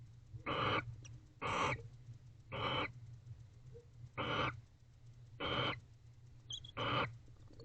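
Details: Bonded barn owls in an owl box late on 19 October 2024 after mating; six harsh breathy hisses, about one per second, with faint squeaks near the end.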